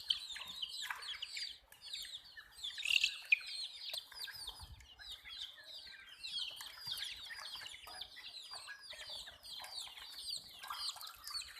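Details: Chicks of the domestic hen peeping in a dense, overlapping chorus of short high, downward-sliding chirps, many birds calling at once without pause, with a brief louder burst near the third second.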